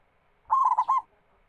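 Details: Local zebra dove song, played as a lure to set other doves singing; a single short cooing phrase of three or four soft, slightly trilled notes in quick sequence, otherwise quiet.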